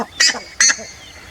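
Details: Two loud, harsh honking notes from a buff-necked ibis, about 0.4 seconds apart, each brassy and abrupt.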